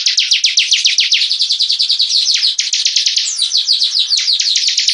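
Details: Bar-winged prinia (ciblek) kept as a hobby bird, singing profusely: a fast, steady run of sharp downslurred high notes, nearly four per second, forming a continuous chattering stream with a brief faster jumble near the middle.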